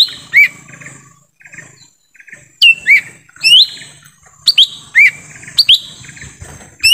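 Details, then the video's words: In forest, a lesser green leafbird, used as a call to bring in wild birds, delivers loud clear whistles, upward sweeps alternating with descending slurs, closely spaced after a short pause, over faint twittering. "suara asli pikat cucak ijo mini di hutan"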